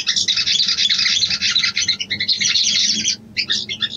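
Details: Female sooty-headed bulbul calling to the male, used as a lure to stir courtship: dense, high, rapid chattering notes in fast bursts, briefly pausing, then resuming with a few scratchy twitters.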